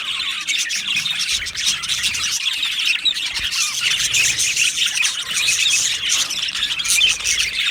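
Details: Australian budgerigars in an aviary colony, 15 July 2025, a loud dense chatter of shrill chirps, squeaks and short squawks from many birds overlapping throughout.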